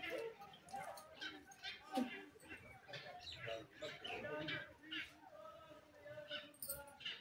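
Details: A pet Pakistani ringneck (rose-ringed) parakeet talking, chattering in a small, slightly nasal voice, running speech-like phrases together with brief high squeaks in between.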